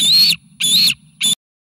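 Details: Three loud, harsh, high squealing notes from nearly fledged bald eaglet triplets at the Sauces eagle nest, 29 May 2018, excited at an incoming meal, then silence; faint low hum.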